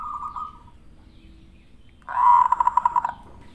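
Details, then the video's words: Zebra dove song used to draw a reply: a soft short coo, then after a pause a louder rolling phrase of quick, bubbling pulsed notes lasting about one second. "SUARA PANCINGAN PERKUTUT"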